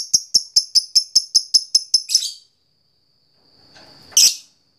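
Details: Fighter lovebird ticking to call a rival, a long 'ngetik' used to provoke lovebirds into trilling: about ten crisp, high clicks in quick succession, then quiet and one final harsh, shrill burst.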